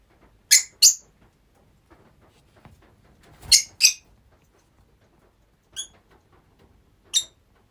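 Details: Rosy-faced lovebirds kept in a group as pets, giving sharp, shrill single chirps, two quick pairs of loud shrieks followed by two fainter, more spaced calls in a quiet room.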